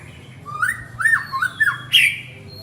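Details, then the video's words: A male white-rumped shama calling to his partner gives a short run of harsh, squawky notes that bend up and down, ending in one louder, brighter burst, over a faint low hum. "Chích choè lửa gọi bạn - Shama bird calls his partner"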